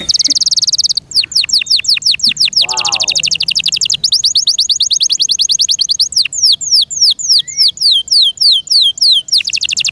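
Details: Kept canary singing continuously and loudly: a sustained buzzy high trill, then long runs of rapid descending whistled sweeps with a brief lower warbling phrase in between.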